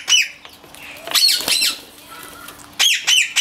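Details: A turquoise ringneck (rose-ringed parakeet) gives harsh, high screeching squawks in quick bursts, a pair at the start and several more near the end, over a faint steady hum; described as a whistle.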